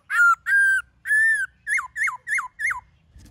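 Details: Laughingthrush song in the giọng rừng forest style from a black-throated laughingthrush: three long rich level notes followed by four quick rising-then-falling whistled notes evenly spaced.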